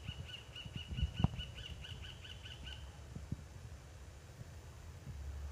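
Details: An American pygmy kingfisher, a male perched on a finger after flying into a house in Cahuita, Costa Rica, gives about a dozen thin, high, evenly spaced ticking notes over nearly three seconds, with low rumbling and handling thumps.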